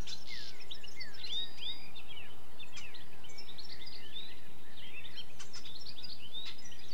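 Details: Song of a European goldfinch mixed with other birds, made of quick liquid twitters and short rising and falling chirps in rapid bursts, with a few sharp clicks and a constant low rumble underneath.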